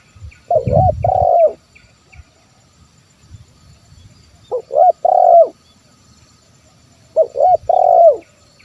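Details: Spotted dove (terkukur), 'kuk 1' call style, used to lure wild birds into calling: three low cooing phrases, each two short notes and a longer drawn-out coo, spaced a few seconds apart, with faint background noise.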